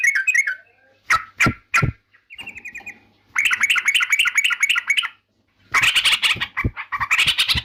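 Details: Yellow-vented bulbul, offered as a sound that provokes rival birds: a few sharp clicks, then fast bubbly chattering runs of repeated notes followed by a louder, harsher burst of mixed squawky notes.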